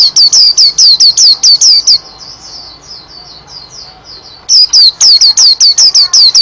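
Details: White-eye singing rapid series of shrill, downward-sweeping whistled notes, pausing for a stretch of quieter high twitters before the loud run resumes.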